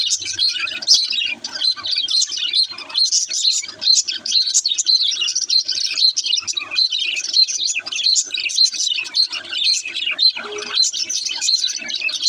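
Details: Budgerigar chick singing: a long, restless run of high chirps, clicks and scratchy warbles, pulsing in short bursts without a break.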